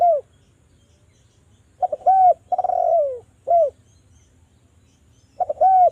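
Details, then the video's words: Spotted dove from Java cooing, used as a lure to get doves singing: a brief coo, a pause, then stuttering notes leading into a short coo, a long sliding coo and a clipped coo, with the phrase starting again near the end. "DERKUKU JAWA Suara merdu TAJAM, pancingan agar BUNYI jadikan burung DERKUKU BUNYI GACOR NGALAS"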